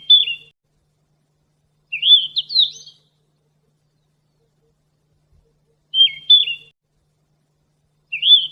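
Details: Sikatan emas, a Ficedula flycatcher, singing in full voice, used as training material for captive songbirds: short high whistled phrases with a quick dip and upward flourish, given about every two seconds between silences.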